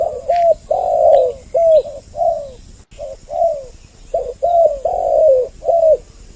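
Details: Spotted dove lure recording with two birds calling, used to draw in males and females: mellow, slightly descending coos repeated in quick, uneven bursts, with faint chirps of other birds high above.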